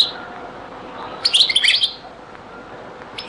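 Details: European goldfinch, from a very old Beni Messous 'les avocats' song recording: one brief, bright burst of quick, tinkling twitters lasting about half a second, framed by quiet hiss and a faint note at each end.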